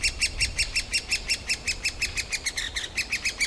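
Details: Grown great spotted woodpecker nestlings shrieking all day to get parents to feed them more often, recorded in a forest park in Yekaterinburg, 28 June 2018; quick, even train of shrill squeaks, close to three per second, with faint low rumble.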